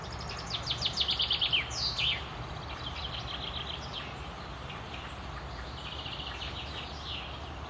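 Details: Common chaffinch song recorded in May 2016 at the Akulovsky water utility, Korolyov, Russia: a loud, fast trill of high notes descending in steps and ending in a short flourish, followed by fainter, more distant bird song over low hum.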